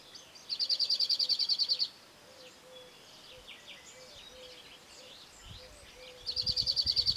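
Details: A cirl bunting (Emberiza cirlus) at Penha Garcia delivers two dry, fast rattling trills of about a dozen identical high notes each, with softer chirps from other birds in between.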